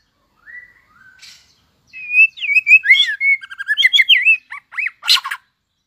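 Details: White-rumped shama newly in breeding condition, tail-flicking in competitive song: soft opening whistles, then a rich fast run of varied warbled and looping whistled notes, finishing with short upswept notes and a harsh burst.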